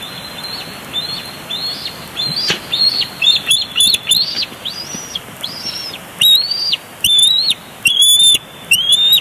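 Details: Bald eagles at a nest at Big Bear Lake, 23 June 2022, on a live nest cam as one bird crashes in and tackles another for a big fish: thin, rising whistled notes, faint at first, then louder and repeated in bursts.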